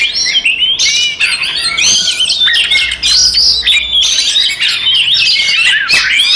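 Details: Oriental magpie-robin fight song used to goad rival birds: harsh squawks and scratchy notes blended with piercing whistled slurs, loud and continuous, several rapid rising sweeps near the end.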